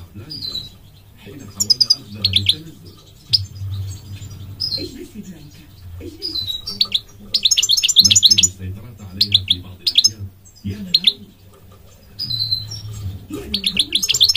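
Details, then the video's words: Goldfinch singing in short, separated bursts of quick, high, liquid twittering and brief whistled notes, repeated roughly every one to two seconds, with quiet gaps and a faint low hum between phrases. "The elegant migratory goldfinch sings the most beautiful singing"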